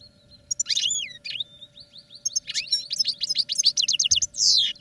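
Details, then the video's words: European goldfinch singing in a training cage: a thin whistle, slurred descending notes, then a quickening series of bright repeated twitters ending in a buzzy flourish, over a low steady hum. "Goldfinches Singing in CAGES for TRAINING"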